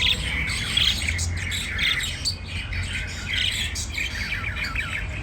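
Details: White diamond budgie chatter: bright chirps and squeaky warbles in quick irregular bursts, some sharp clicks, with a constant low rumble in the background.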